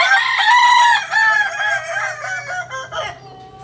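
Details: Kukuak balenggek rooster, a native village chicken from Solok, West Sumatra, bred for its multi-tiered crowing. Loud harmonic crow broken into about seven stepped segments over three and a half seconds, slowly falling in pitch and fading.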